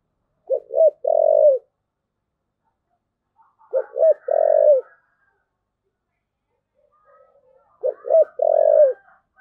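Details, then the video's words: Spotted dove repeating its thúc gù phrase three times, roughly every three and a half seconds. Each phrase has two short clipped hoots and a longer coo, with faint higher calls heard in the background. "cu gáy thúc gù"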